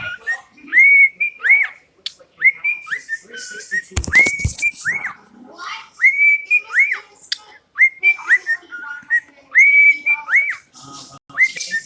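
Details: Pet cockatiel whistling the tune September, repeating a short phrase of sharply rising, clear notes that level off into held tones, about once every one to two seconds, with a burst of rustling noise near the middle.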